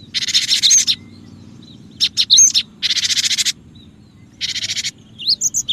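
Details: Cinereous tit lure recording for attracting other birds: harsh, buzzy churring bursts of about a second, separated by short pauses, with one brief thin whistle and soft low background hum.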